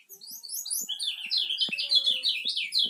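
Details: Kecial kuning from Lombok, a bird used as a lure, singing a fast jumbled warble of high twittering notes that run up and down without pause, with faint clicks and taps beneath.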